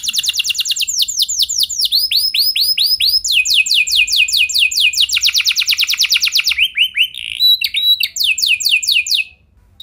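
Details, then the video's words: Domestic canary in full 'lagu mewah' song, used as a lure to set other canaries singing at length; nearly unbroken high trills change speed and tone from tour to tour before stopping abruptly into silence. "Kenari Gacor Lagu Mewah! Buat Kenari Mana Saja Bakalan Langsung Ikut Gacor Panjang"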